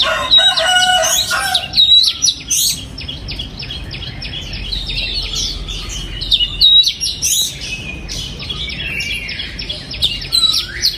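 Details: Oriental magpie-robin singing in a breeding aviary, 2022: a long, rich, varied song of fast twitters, bright whistles and slurred notes, loud bursts around two and seven seconds, with continuous chattering in between.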